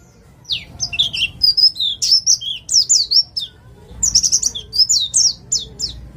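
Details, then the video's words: East Javan white-eye from the wild, song meant as a lure to get other birds singing: two bursts of high, bright, quick chirps and slurred whistles, broken by a brief pause near the middle, with faint low background hum. "Pleci jatim ngalas cocok untuk pancingan bunyi"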